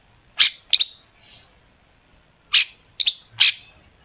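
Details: Long-tailed shrike used as a lure for other shrikes, giving harsh, scratchy single notes in two bursts: two rasping calls, a soft buzz, then three more after a two-second pause.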